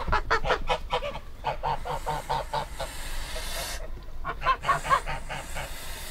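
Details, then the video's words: Rhythmic goose honking, a string of short, evenly spaced nasal notes, a short lull, then a few sharper, higher honks near the end. "Gans geräusch / Gans geluid / Bruit oie / Gänse geräusche"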